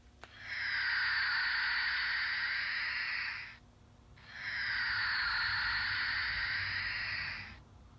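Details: Barn Owl screech reproduced by squeezing a stuffed toy owl that plays the actual call, used in Oregon to frighten away rats, mice, gophers, moles and birds: two long, harsh, hissing screeches of about three seconds each, separated by a brief pause.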